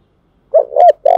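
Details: Spotted dove from Dong Nai, Vietnam, a lure cooing style used to provoke and train decoy birds: brief low mellow coo notes, a short hoot then a longer wavering note, cut off at the end.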